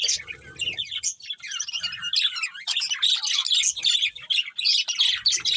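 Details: Budgerigars singing while feeding, happy, giving a continuous jumble of high warbled chirps, rising and falling whistles and buzzy notes, with faint low rustling beneath.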